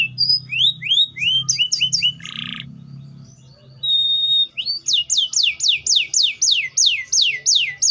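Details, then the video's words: Canary singing varied phrases of rising whistled notes, a brief buzzy note, a long level whistle, then a rapid series of descending sweeps repeated about every quarter second, over low background hum. "THE VOICE OF THE CANARIA SERINUS"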